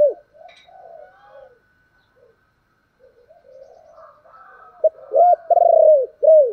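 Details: Spotted dove in the thổ voice style, giving calling and urging coos: soft, low wavering murmurs at first, then after a pause a loud run of rounded, arching hoots, closely repeated near the end.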